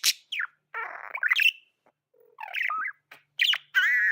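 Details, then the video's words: Budgie sounds: a buzzy rasping note sliding into chirps, then wavering warbled calls and a held, steady nasal tone at the end. "Amazing budgie chirping sounds"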